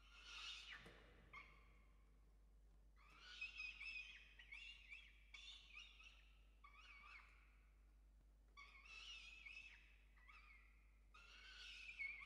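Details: Evening chick feeding at a peregrine falcon nest, Orange, Australia, 5 November 2021, recorded by a nest camera: a series of about eight harsh, rasping, harmonic calls in bursts, with gaps of a second or more between them.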